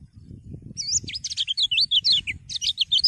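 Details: Common iora singing to stimulate other birds into song, a continuous rapid series of bright slurred whistles and twisting notes over steady low rumbling background noise.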